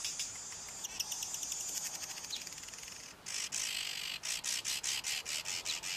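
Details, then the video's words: Male Cape weaver singing a long, wound-up song, a continuous high wheezy buzz that breaks into evenly pulsed buzzy notes, about five per second. "Cape Weaver male singing"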